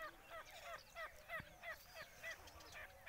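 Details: Three wild grey francolins fiercely fighting a pet francolin, leaving birds bloodied, with loud, shrill, ringing notes repeated about three times a second and several birds calling over one another.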